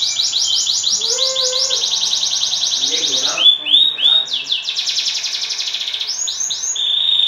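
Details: Champion canary song used as a lure to provoke other canaries into singing: rapid high trills repeated in fast bursts, interrupted by rising whistled swoops, with a faint lower voice-like sound early on.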